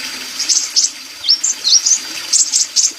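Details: Sunbird, called kolibri, singing in a lively, sustained way: high, bright chirps and short rising and falling whistles in quick bursts, about one each quarter second, over a steady faint hiss.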